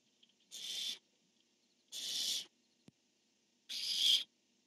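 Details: Male barn owl calling with the female answering, captured on a nest camera on 1 October 2015; three rasping, noisy screeches roughly a second and a half apart, with a single sharp tap between the last two.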